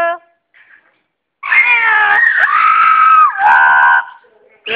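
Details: Talking female double yellow-headed amazon, a happy pet bird, produces a long loud harmonic vocalization of about two and a half seconds with a sliding downward glide midway, preceded by faint brief sounds.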